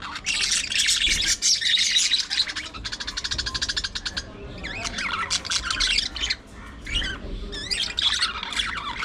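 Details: Pet budgerigars interacting through their daily routine: continuous scratchy chatter, including a run of fast rattling clicks, then wavering whistled squeaks and warbled phrases.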